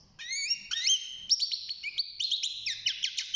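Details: Young European goldfinch in a cage, six months old and beginning to sing; clear drawn-out whistled notes open the phrase, then give way to quick repeated chips and twittering.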